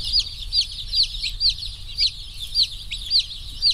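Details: Newly arrived slow growth rainbow broiler chicks, over a thousand, active and pecking after their journey: loud high peeps repeated roughly twice a second over a dense background chorus of other chicks.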